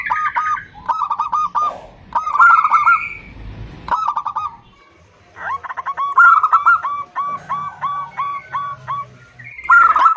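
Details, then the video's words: Calls from a female zebra dove to a male come as repeated phrases of rapid, stuttering coo notes with some higher overtones, separated by short pauses, the longest run in the second half. "Suara Perkutut BETINA Memanggil JANTAN || The sound of a female turtledove calling male."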